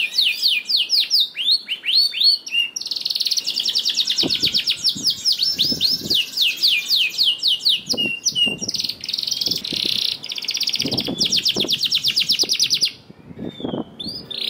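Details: Continuous high canary song meant to spur quiet canaries into singing: dense rolling trills and rattling repeated notes, with faint low thumps beneath, ending in a short lull.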